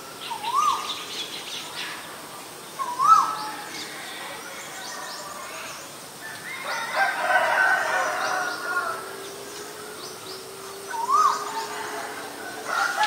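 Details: Asian koel, male and female, giving rising whistled notes spaced a few seconds apart, with a rooster crowing loudly in the middle and soft background chatter.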